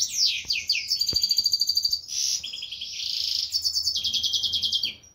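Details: Major-form European goldfinch with brown white-head colouring, split isabel pastel, from an isabel pastel cross, delivering a fast, continuous twittering song with rapid rattling trills and repeated pulsed notes, plus a few soft clicks.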